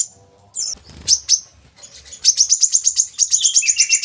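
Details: Kolibri kelapa sung as a lure for captive birds: a few scattered high notes and soft rustling first, then a quickening train of sharp metallic chirps with some lower twittering notes mixed in.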